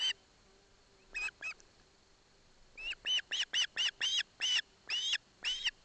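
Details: Begging osprey chick at a Barlinek Forest nest in Poland, receiving fish from its father with its mother beside it: loud, piercing, repeated squeals, two early calls then a dense series of about ten shrill chirps in three seconds.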